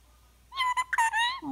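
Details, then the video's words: A male Indian ringneck parakeet talks while being tickled and cuddled. It gives a quick run of clear, tonal speech-like syllables that end in a drawn-out lower note. "Cute talking parrot"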